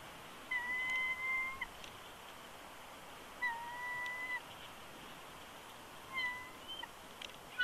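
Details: Male bald eagle on a nest at Big Bear Lake, California, from a live nest camera, 20 January 2020, whining and protesting as his mate coaxes him off the eggs: three drawn-out, level, thin whistled whines about two seconds apart.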